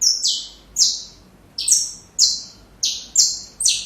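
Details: Saffron finch song for training young birds, slowed into distinct, drawn-out high chirps sliding downward, roughly one every half second.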